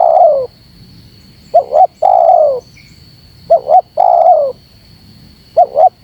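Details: Spotted dove coos used to provoke wild doves. After a trailing coo, phrases of two short rising notes plus a long downslurred coo repeat about every two seconds, with a constant high whine.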